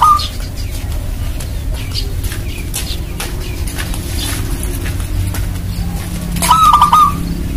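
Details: Local zebra dove (perkutut), a frequent singer, used as a lure to get other zebra doves calling. Two short beaded cooing phrases, one at the start and one near the end, over steady low rumbling background noise.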